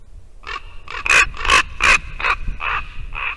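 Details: Ravens visiting a white-tailed eagle nest in Latvia on a December morning, calling to the sitting female eagle: a run of eight harsh, rasping notes about every third of a second, one like a rusty hinge.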